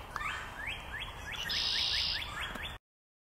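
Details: Red-winged blackbird recorded on 30 March 2024: a fast run of rising whistled upslurs, about four each second, with a brief hissing buzz partway through and steady low background rumble, ending abruptly.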